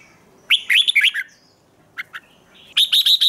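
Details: Red-whiskered bulbul singing in morning training: a lively warbled phrase, two short sharp chips, then a fast run of even high notes.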